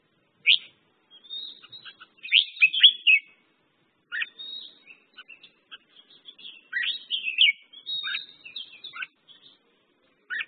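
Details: Merbah jambul, the red-whiskered bulbul, delivering short cheerful phrases of sharp whistled and chirping notes in bursts, pausing between phrases.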